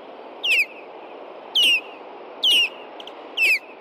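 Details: Osprey alarm calls at a Hellgate Canyon nest in Montana after nightfall, June 2, 2014, with an intruding juvenile upsetting the pair: four loud, piercing whistles, each slurring downward, spaced about a second apart over faint hiss.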